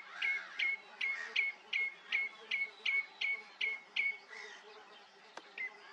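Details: A common redshank at Rye Harbour gives short, sharp peeping notes, about two or three a second, each ending in a slight downward flick, over a low background hum.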